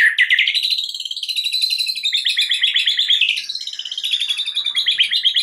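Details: White-rumped shama lure song meant to draw out a shama's full repertoire: continuous fast chattering trills, densely repeated notes rising and falling over five seconds without a break, bright and high-pitched.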